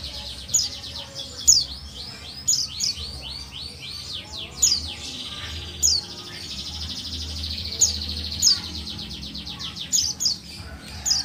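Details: Female white-eye of the buxtoni form calling to stir lazy males into song: fast trains of high sweeping notes broken by sharp bright chirps roughly every second, faint low hum beneath.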